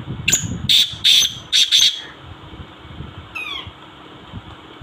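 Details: Black francolin (kala teetar) calling in Sindhi style: five harsh, high grating notes in a quick uneven run over two seconds, then a faint descending note against a low background rumble.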